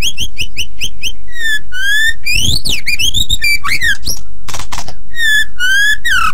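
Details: Master song of a white-rumped shama for training other birds. A quick string of repeated short whistled notes opens, then long slurred whistles, a rising sweep, scratchy bursts and more falling whistles.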